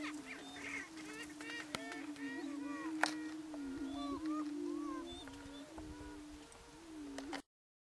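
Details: Greater prairie chickens, two males sparring on a lek in the Nebraska Sandhills in April 2018 while waiting for females to arrive; a steady low hooting boom drones throughout, overlaid with repeated higher whooping, cackling notes and a few sharp clicks.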